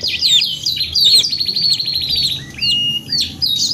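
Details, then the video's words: Singing canary, gacor panjang style therapy song: bright high whistles open into a rapid buzzing trill held about a second, then short pauses and drawn-out upslurred whistles. "TERAPI KENARI 2 IN 1 GACOR PANJANG | CANARY SINGING"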